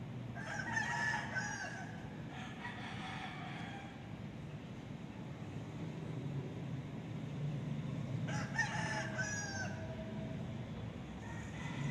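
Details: Cock-a-doodle-doo from a rooster, captured with an ASUS Zenfone 2 Laser phone: a strong harmonic crow at the start, a second drawn-out crow soon after, and another crow about eight seconds in, over constant low rumbling background noise.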